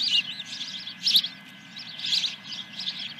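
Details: Nest osprey calling at Dunrovin Ranch on the morning of 10 July 2021, first fish of the day: shrill piping chirps in short clusters about once a second, over a faint low background hum.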